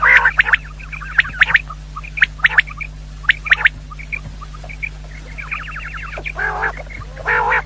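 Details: Female common quail call played to lure quail for hunting. Scattered sharp high chirps and quick ticking runs give way to two rich, nasal bursts near the end. A constant low electrical hum sits beneath.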